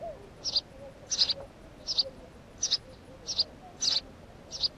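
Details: Short, bright chirps from a house sparrow, seven of them at intervals of about two-thirds of a second, several split into quick double notes, in otherwise quiet surroundings.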